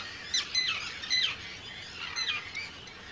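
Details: Arctic terns calling at a breeding colony on Rottumerplaat in the Netherlands, 4 June 2023, among hundreds of birds. A few loud, rasping, downslurred cries, some doubled, stand out against a quieter background of more terns.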